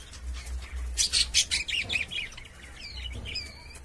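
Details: Caged budgerigars: a burst of loud, rasping chirps gives way to a clear, rising and falling whistled warble, quick looping notes repeated several times per second, with soft wing flutter and low hum.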